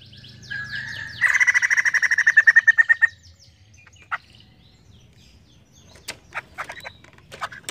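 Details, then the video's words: White-crested laughingthrush in full, emotional song: a fast run of loud repeated harsh notes for about two seconds, preceded by softer descending whistled phrases, followed by scattered sharp calls. "Poksay jambul gacor penuh emosi"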